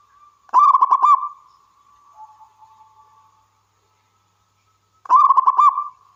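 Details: Zebra dove of the local wild type in full voice, giving a fast rolling coo phrase, then faint soft low cooing notes, and a second rattling phrase about four and a half seconds later.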